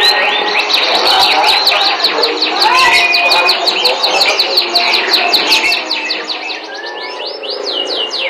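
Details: Sweet canary song made of long, steady trills of rapidly repeated notes, with clear whistled slurs mixed in, sustained throughout.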